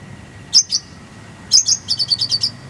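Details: Kolibri ninja master recording with tembakan rolls. Two high chips are followed after a pause by a burst of paired notes and a rapid run of about six sharp, falling tweets. A low hum runs throughout.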